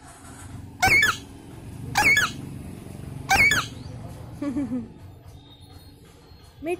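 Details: A pet Alexandrine parakeet talks, giving three loud, raspy, squeaky word-like bursts about a second apart, then softer murmurs and a faint final squawk.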